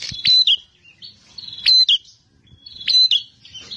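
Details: Aggressive fighting bar-winged prinia giving sharp whistled notes that slide downward, three phrases roughly every one and a quarter seconds, with softer chattering in between.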